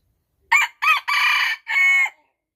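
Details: Rooster giving one complete crow of four loud, harsh syllables, two short opening notes, then a long held note and a final drawn-out note, in otherwise silent surroundings.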